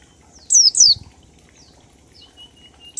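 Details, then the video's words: Single oriental white-eye ngalas phrase, used to lure other birds into song: one pair of bright, falling high whistles, then a few faint thin notes and a steady low hum. "Pleci Ngalas 1234 ketukan untuk pancingan bunyi"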